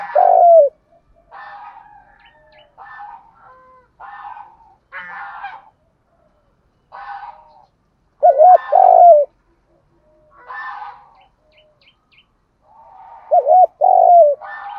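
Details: Spotted dove in the "thúc gù" lure voice. Two low cooing phrases of bounced notes and falling coos, separated by many short scratchy, rustling sounds.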